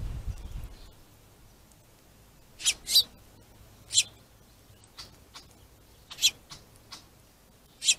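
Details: Finches quarrelling at a plentiful feeder give sharp, harsh bursts, some in quick pairs, scattered irregularly, with a low rumble at the very start.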